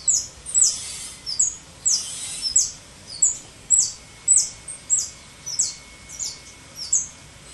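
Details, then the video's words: A European goldfinch nicknamed 'the mechanic', starting up its song to teach young untrained birds, gives bright, high, tinkling chirps, about two a second in uneven bursts, over a faint steady whine. "Jilguero el mecánico arrancando"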